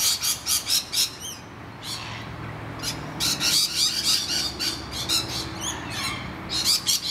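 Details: Harsh chattering screeches from distressed rainbow lorikeets defending their hollow against noisy miners, almost continuous, interleaved with some sharp, swooping call notes.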